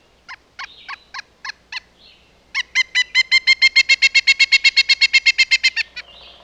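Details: Woodpecker calling: a few spaced, sharp nasal notes, a brief squeaky note, then a long rapid run of loud harsh notes about four to five per second, ending with a thin squeal; quiet background.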